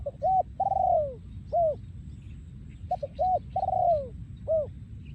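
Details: Breeding male spotted dove singing in the yon ku ang style, recorded in 2023 in Thailand: two short low coos, a long downslurred coo, then an arched coo, with the phrase repeated twice over steady low background rumble.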